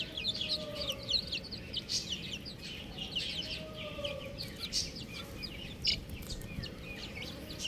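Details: A dense chorus of baby chickens, buff chicks giving rapid, piercing little peeps that crowd closely together and never pause, over a quiet steady background noise.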